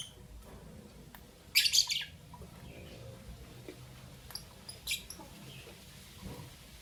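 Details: Lovebirds of albino and Euwing green opaline colouring chirp in the morning. A dense, harsh burst of high chirps is followed by quieter scattered notes and a second short burst.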